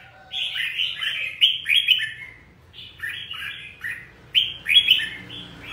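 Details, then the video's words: Red-whiskered bulbul singing bright, warbling phrases of short slurred notes, delivered in quick bursts with brief pauses between them. "chào mào hót hay"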